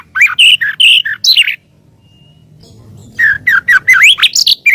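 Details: Master training recording of a white-rumped shama singing: bursts of rich, slurred whistles and chattering notes, a pause with a faint thin whistle, then a rapid sequence of rising and falling whistled notes.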